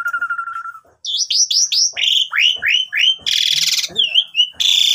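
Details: Lure song of an Asian pied starling for tutoring young birds: a steady whistled tone, then a run of repeated descending slurred whistles, a loud rasping buzz, and another harsh burst at the end.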